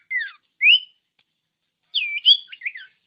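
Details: Common iora song, played to coax silent ioras into singing: a falling whistled note, a clear rising whistle, then a complex phrase of slurred and warbled whistles.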